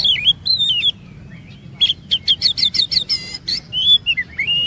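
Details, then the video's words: Oriental magpie-robin song used to lure other magpie-robins into long varied singing: whistled warbling phrases, a pause, then a rapid series of sharp chips and a buzzy note, finishing with more fluid whistles. "EFEKTIF MEMANCING KACER NGEROL DAN BONGKAR ISIAN"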